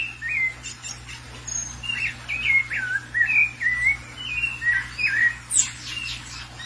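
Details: A thrush, excited after seeing another thrush loose, pours out a run of clear, varied whistled notes, short rising and falling phrases in quick succession, over a steady low electrical hum.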